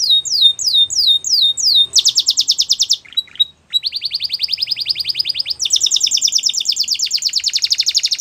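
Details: Belgian canary song: a short series of descending whistled slurs gives way to a rapid buzzing trill, a brief pause, then long rolling trills of quick repeated notes at high pitch, strong and continuous.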